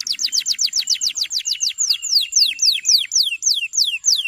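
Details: Song of a male canary meant to teach young canaries to sing. Loud, rapid series of sharp downslurred whistled notes, about four per second, steady throughout.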